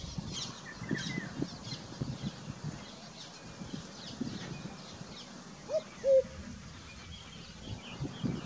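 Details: A common cuckoo (Cuculus canorus) calls in Sikar, Rajasthan, India, in June 2021, giving a single soft two-note 'cu-ckoo', the second lower, amid faint chirps from other birds and a low background rumble.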